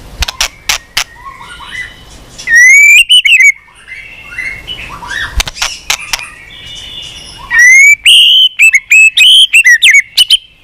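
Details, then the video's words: White-rumped shama singing amid clicks and chatter, in a recording for rousing shamas to sing many varied phrases; loud upslurred whistles come in two strong bursts between quieter, busy twittering. "Kích Chòe lửa Lên Lửa, hót nhiều, chòe lửa đánh đuôi kích cực nhạy.luyện chòe lửa hót nhiều giọng"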